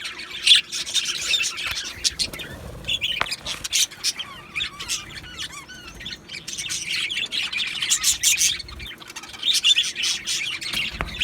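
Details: Two male budgerigars of Australia trade squawky chirps and warbles in uneven bursts, with a softer lull of thin rising whistles midway before the busy chatter resumes.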